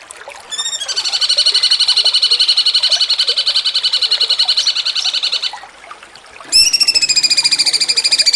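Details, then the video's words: Cucak cungkok, jengking munting style for songbird contest training: a long rapid buzzy trill of regular pulses, a short pause, then a second loud trill starting abruptly. "MASTERAN CUCAK CUNGKOK JENGKING MUNTING"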